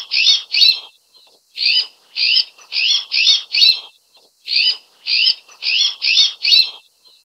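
An azure-winged magpie gives harsh, rasping notes in quick bursts of four to six, each burst a couple of seconds long, with no other sounds.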